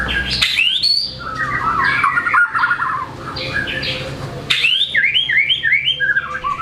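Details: White-rumped shama in full song, performing varied imitated material, used to stir quiet shamas into singing: rapid slurred whistles and rising-falling notes, dense mimicked phrases, sharp broadband clicks, a pause, then a new run of bouncing whistled notes.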